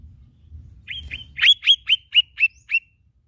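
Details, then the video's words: Lesser green leafbird song: two soft lead-in notes followed by six loud, sharply upswept chirps evenly spaced about a quarter second apart, over a low background hum. "bunyi khas cak ijo mini"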